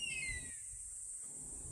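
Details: A Common Buzzard at a pond, crying continuously as if threatening something, gives a single clear, down-slurred mewing cry, cut short at the start, over a steady high insect hiss.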